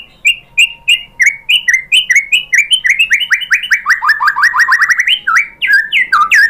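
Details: Lure song of a white-rumped shama (murai batu), played to provoke other shamas to sing: fast, loud series of slurred whistles descending and rising in pitch, quickening into a dense rolling run before varied final phrases.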